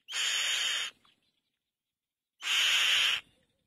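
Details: Black-winged kite calling twice, each a harsh hissing screech just under a second long, separated by about one and a half seconds of silence.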